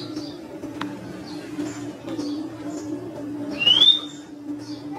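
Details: Pet Indian ringneck parakeet whistling: one clear rising whistle near the end, with faint soft chirps scattered before it and a steady low hum underneath.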